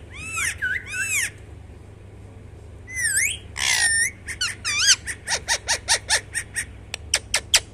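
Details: A talking parrot gives shrill, rising-and-falling whistled calls in separate bursts, then a fast series of short, sharp notes repeated roughly twice a second, over a steady low hum.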